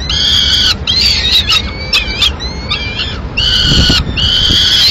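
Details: A female peregrine falcon brings pigeon to two chicks in the nest, Madrid, 21 May 2016. Bands of raspy, harmonic calls mix with thin rising whistled notes in the middle. Loud harmonic bursts open and close the sequence.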